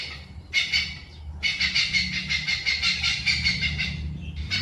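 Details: Oriental pied hornbill uttering raucous, grating cackles in fast repeated pulses. A short burst is followed by a longer unbroken run and then another burst starts, with a soft low background rumble throughout.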